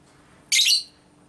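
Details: Lovebird hen's konslet minor ngekek, a training sound to stir other lovebirds: one brief, piercing, buzzy screech of about 0.3 seconds, then quiet.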